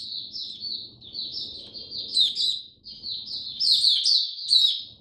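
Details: Caged oriental white-eye singing on 8 October 2022 amid cold rainy weather, its diet adjusted; steady high twittering of short down-slurred notes building to louder bright phrases, over soft low-pitched background noise.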